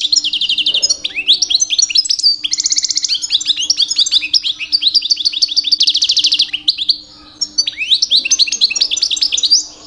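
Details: Nearly continuous song from a two-year-old male European goldfinch in mating season, aimed at attracting females: tinkling twitters, downslurred chirps and several fast buzzy trills strung together with hardly a break.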